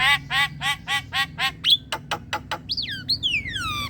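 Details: Javan myna lure calls meant to prompt young and untrained mynas to call: a run of harsh, harmonic squawks repeated about every quarter second, then sharp clicks and loud descending whistled notes.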